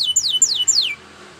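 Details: Male Spanish Timbrado canary training song: three quick, bright whistled notes, each sliding sharply downward, about a quarter second apart, then quiet against a faint background hum; Canary.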